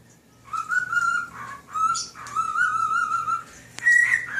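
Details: Male pet cockatiel whistling Nights in White Satin to a fish and other birds; long, clear whistled notes in legato phrases, a few higher step-ups and brief breaks between phrases, in a quiet room.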